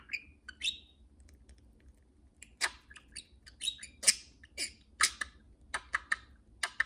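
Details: Two pet budgerigars flying freely indoors around a house, calling to each other: sharp chirps and clicky squawks, first scattered, then coming in quick bursts, with a faint low room hum underneath.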